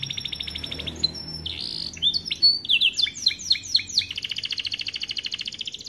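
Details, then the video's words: Canary with starblue plumage delivering a varied training song for young birds: whistled slides and sweeping chirps, then a steady fast buzzing roll of high pulses. "Kenari AF warna starblue gacor lagu unik mewah untuk masteran kenari paud"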